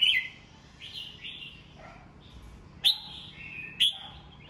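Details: Caged red-whiskered bulbul singing in the morning for voice training: soft slurred whistles and a low dip, then two crisp click-led bright phrases about a second apart.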